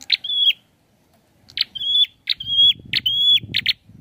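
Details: Prinia giving rapid buzzy-then-whistled phrases close together, ending in a doubled rasp, with low rumbling noise in the second half.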